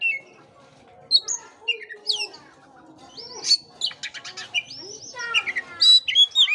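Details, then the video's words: Oriental magpie-robin song, played to stir a listless caged bird into singing: varied whistled phrases, sharp upswept notes and rapid buzzy trills in scattered bursts, with a faint low hum beneath. "pancingan kacer jitu dan ampuh buat kacer loyo kurang ber gairah.!!!"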